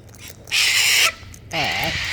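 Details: Wild cockatoo gives two loud, harsh, raspy screeches about half a second each, with a person talking over the second. It seems to be screaming or complaining while being told to come down and eat.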